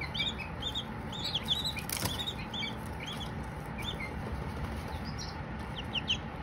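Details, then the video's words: Young Silkie chicks give scattered high, downward-sliding peeps at irregular intervals over a steady low hum, with one sharp broadband knock near the middle. "Baby Silkies singing, no talking just chirps"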